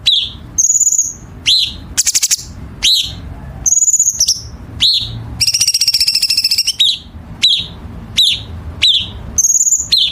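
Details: Chinese bulbul training song for contest birds, sharp dense harsh style: downslurred chips, short staccato rattles and high buzzy whistles in quick succession, with one longer rattling trill midway.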